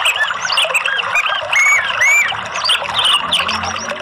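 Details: Orange-headed thrush song played as a stimulating lure for a caged bird reluctant to sing: loud, busy run of whistled, slurred phrases and chirps, with clear rising and falling whistles, overlapping with other bird notes throughout.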